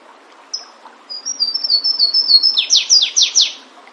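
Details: Flavescent warbler in the wild: a single high note, then a fast series of bright whistled notes stepping upward, finishing in four forceful descending sweeps, quiet background.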